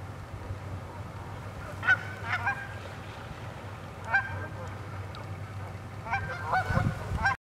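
Cackling geese give short, high, yelping honks in quick pairs and clusters, some seconds apart, over a low rumble of background noise.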